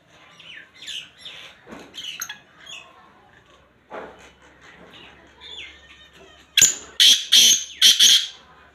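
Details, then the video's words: Black francolin, locally called kala teetar, heard near Khushab: soft scattered chirps and rustling at first, then a loud harsh series of grating, broadband notes bursting out four times in quick succession near the end. "black francoline vice black teetar voice"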